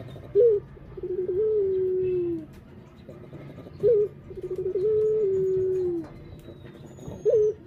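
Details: Barbary dove repeating its coo roughly every three and a half seconds: a short bright upward note, then a stuttering lead-in and a long mellow tone drifting lower, against a quiet low hum.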